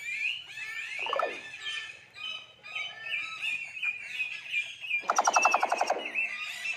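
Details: Common hill myna mimicking human speech with rapid chattering whistles and chirps, then a loud harsh rattling phrase of quick pulses near the end.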